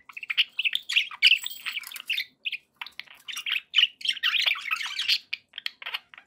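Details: Pet budgerigars sounding happy, a run of short squeaky chirps and buzzy warble bursts with brief gaps between them.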